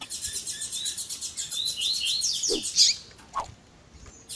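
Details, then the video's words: Double-collared seedeater of the tui tui zel zel type, with female calling edited to excite males: a long, fast, buzzy trill of rapidly repeated high notes lasting nearly three seconds, ending in a loud chip and a few softer clicks. "COLEIRO TUI TUI ZEL ZEL COM PIADO E CHAMANDO DE FÊMEA MUITO QUENTE CHAMANDO E MACHEANDO MUITO."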